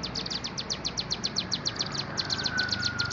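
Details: Bar-winged prinia, known locally as ciblek gunung, delivering a long run of high, sharp repeated notes, roughly four per second, with a faint thin whistle underneath toward the end.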